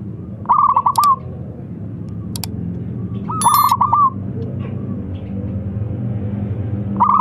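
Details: A local zebra dove in good voice calls and a rival answers quickly: two rolling bursts of pulsed coos with a trailing fall, sharp clicking noises and a faint ringing tone between them.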